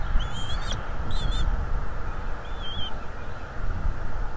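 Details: A bald eagle at a northeast Florida nest, seen close up on a livestream, gives three thin, high, squealing whistles, the first two close together and the last softer, over a steady low wind rumble.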